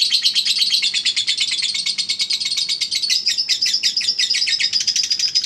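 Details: Eagle Head lovebird, a repeated singing-contest champion, in ngekek song: rapid high chirps strung into a continuous rattle, notes becoming more separated and sharper toward the end.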